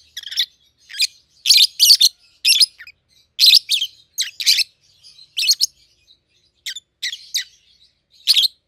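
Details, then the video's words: A captive pair of peach-faced lovebirds, red-headed green opaline and red-faced dark green, raised together and aged 7-8 months, give shrill, scratchy chirps in short bursts, roughly one per second with uneven spacing, in a quiet room. "Peach-Faced Lovebird's Sounds"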